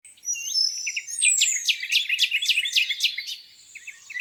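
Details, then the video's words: Wild birds singing on a spring morning by a lake: high sweeping whistles open into quick repeated sharp notes, about four per second, from overlapping singers, fading near the end. "Singing birds, beautiful lake view on a spring morning."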